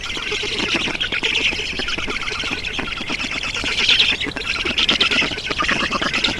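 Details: Black storks at the nest in Estonia on 7 June 2019 at 11:03 as water is brought. Steady, scratchy squawking with quick pulses, rising to louder bursts around four and five seconds.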